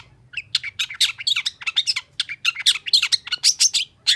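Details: Long-tailed shrike singing heatedly after a rival's challenge, a dense, rapid chatter of harsh and bright chirps, several per second, broad and buzzy in tone, with a soft low hum in the background.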